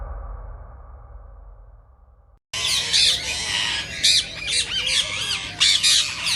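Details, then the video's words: Rose-ringed parakeet sounds, played to stimulate other parakeets to sing and mate; a low hum for over two seconds, then abrupt bursts of shrill, harsh screeching notes with overlapping chatter. "صوت ببغاء الدرة الخضراء"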